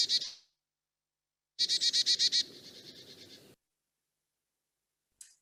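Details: Carolina Chickadee call, repeating the "dee" of its name: a high opening note, then six quick, evenly spaced dee notes ending in a buzzy trail, over a faint low rumble.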